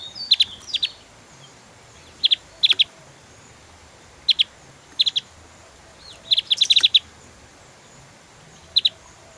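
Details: Javan grey-throated white-eye, lively 'tembakan' shooting song: paired and tripled high, clipped chips at irregular intervals, one denser flurry of rapid notes midway, against a steady faint hiss.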